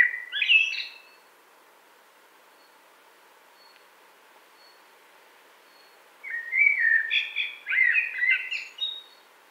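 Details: Common blackbird singing two fluty, warbling phrases low in pitch, each closing in a higher twittering flourish, separated by about five seconds of quiet.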